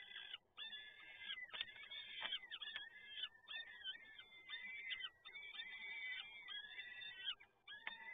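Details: Peregrine falcon chicks begging while being fed at the PGE Toruń site in Poland, 30 April 2022: overlapping drawn-out, wheezy, harmonic wails, each about half a second to a second, following one another almost without pause.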